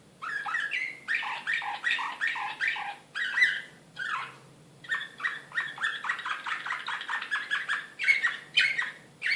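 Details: Excited canary of the Serbian slavujar song style, Belgrade, 2016, delivering choppy bursts of rapid chirped syllables in short rolling phrases broken by brief silences, with a low background hum indoors.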